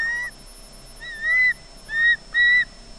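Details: Squealy osprey calls from a nest camera at Loch Garten, Scotland, the bird seemingly expecting fish: four thin, whistled squeals at a level pitch, spaced unevenly over a few seconds, with a faint background hum.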